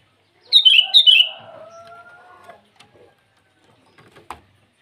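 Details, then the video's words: Morning song of a sooty-headed bulbul calling rivals: a short pair of liquid, downward-bending notes, then a thin level whistle and a few faint clicks. "Suara burung kutilang memanggil lawan di pagi hari"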